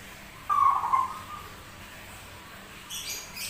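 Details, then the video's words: Zebra dove with an unusual voice that sings often gives one short, low, vibrating coo phrase, then quiet hiss and a faint high rustle at the end. "PERKUTUT SUARA ANEH TAPI GACOR"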